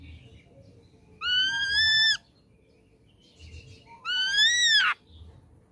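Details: Lure song of an ashy drongo, meant to provoke a reply from young birds. Two long ringing whistles sound about three seconds apart, each gently rising then falling. Faint quieter chatter is heard between them.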